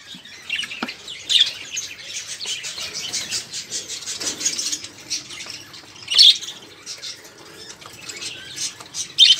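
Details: Budgerigars in a cage, chattering noisily to prompt other caged birds to sing: a busy mix of scratchy chirps and squawks, with a few sharper, louder notes.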